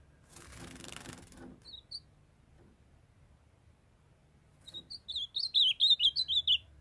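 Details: A rustling burst, a pair of short high notes, a pause, then a captive young male ultramarine grosbeak launches a brisk two-second warbled phrase of looping whistles, sung while his female calls to bring him into condition.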